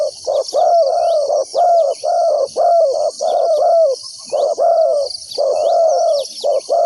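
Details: A spotted dove serving as a lure for wild doves coos loudly and continuously, low short and long notes alternating in quick succession, with a high insect drone throughout.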